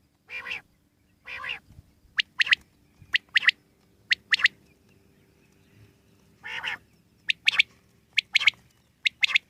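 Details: Wild common quail calling in bright, clipped notes, single and clustered in twos and threes, with a few broader, rougher calls mixed in over a quiet rural background.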